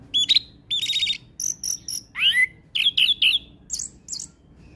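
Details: Orange-headed thrush singing in a vigorous, imitation-rich song style. It gives a fast run of varied phrases: clear whistles, rising slurred notes, buzzy trills and high squeaky chirps in short bursts, with only brief gaps between them.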